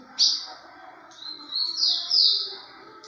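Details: Rufous-collared sparrow singing in the Curico song style: high, clear whistled notes, the first sharp and loud, followed by two slurred, drawn-out whistles, over a quiet background with faint lower tones.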